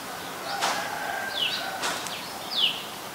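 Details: Common Tailorbird, adult, recorded on 3 February 2023 in Ubon Ratchathani, Thailand: two high notes about a second apart, each dipping then rising, among sharp clicking noises and faint background chirps.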